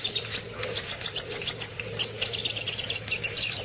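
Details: Little spiderhunter song for tutoring shamas and magpie-robins: steady string of shrill, evenly spaced high chirps, around six a second, pausing once and resuming slightly faster.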